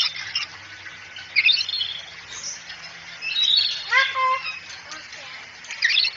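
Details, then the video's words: Cockatoo in a training recording, said to be talking and saying "assalamualaikum"; scratchy, squeaky chirps over steady hiss, then a louder harmonic, voice-like phrase around the fourth second and a final squeak. "masteran burung kakatua bicara asalamualaikum"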